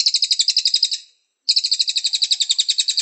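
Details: Cililin training song; two bursts of fast, high, buzzy trilled notes, each repeated about ten times a second, split by a short silent gap.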